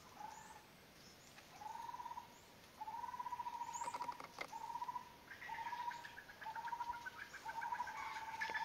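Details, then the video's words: Common flameback giving a series of short, trilled mid-pitched notes, about one per second, slightly rising then level, with a steady high insect-like whine and a few sharp clicks behind. "Common Flameback หัวขวานสามนิ้วหลังทอง"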